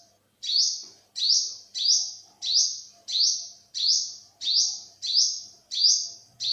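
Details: A 2021 recording of an olive-backed sunbird gives a steady run of about ten high, thin notes. Each one sweeps upward and then holds briefly, repeated every two-thirds of a second.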